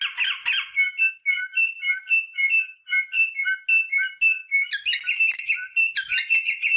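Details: Rosella song played to stimulate mating: a harsh chattering burst opens, then a run of clear whistled notes alternating between two pitches about twice a second, ending in rough, buzzy chatter.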